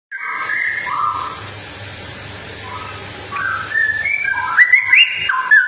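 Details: Female straw-headed bulbul (cucak rowo) singing: rich, mellow whistled phrases, first two low warbled notes, then a pause with faint hum, followed by a quickening run of bubbling, rising and falling liquid whistles.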